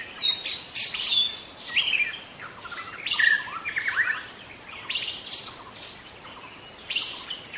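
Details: Forest recording of a young wild White-rumped shama: bursts of high chirps and pure whistled notes, some sliding, repeated in irregular phrases over constant insect buzz.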